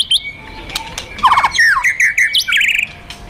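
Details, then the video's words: White-rumped shama of fighter type, singing kretekan and tembakan to provoke another shama's aggression: varied whistled notes, a quick rattling burst of stacked chirps, then rising and falling slurred whistles and buzzy phrases, fairly dense and irregular. "Kretekan Dan Tembakan Murai Fighter Pancingan Emosi Murai Paling Efektif"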